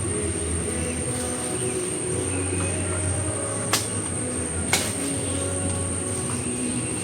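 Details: Steady mechanical hum with a constant high whine and two sharp knocks, with no animal call standing out.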